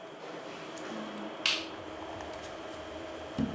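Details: Quiet indoor room tone with a soft squishy click near the middle and another faint click at the end.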